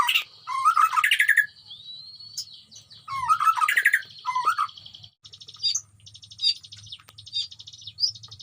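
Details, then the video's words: White-rumped shama in a colony breeding cage, with many wild animals living around it: rich, varied song of warbled phrases and fast chattering bursts, over a steady high buzzing background and faint low rumble. "murai gacor di kandang koloni Suara aneh"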